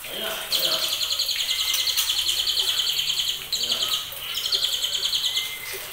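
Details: Trotolan-style song from a white-rumped shama just over two months old, bred from champion stock: long bursts of fast, high, rattling repeated notes, broken by short pauses, with a thin whistle between phrases.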